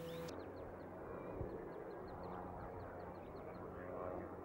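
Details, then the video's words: Eurasian tree sparrow recorded in Sweden, singing, calling and warning: a quiet, steady series of short, high, downward-slurred chirps, about three per second, over a low background rumble. "Pilfink / Passer montanus / Eurasian Tree Sparrow / ljud-sound"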